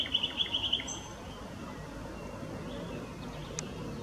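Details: Mixed-singing willow warbler at Whitlingham, 2 May 2017: a brief, rapid string of about eight same-pitched high notes, then quiet outdoor background with a faint distant chirp.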